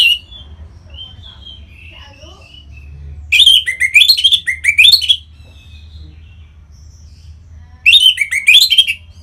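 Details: Orange-headed thrush in Singaraja, North Bali, song meant to prompt other birds into singing; two energetic bursts of fast, rising and falling whistled notes with faint twittering in the pauses.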